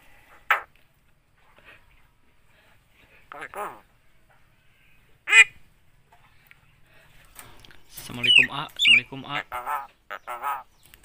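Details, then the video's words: Javan myna known for mimicking speech such as Assalamualaikum, 'halo cewek' and coughing; scattered single raspy syllables early, then a dense run of rapid, strongly modulated chattering phrases near the end. "BURUNG JALAK KEBO BISA NGOMONG,ASSALAMUALAIKUM,BATUK DAN NGOMONG HALO CEWEK"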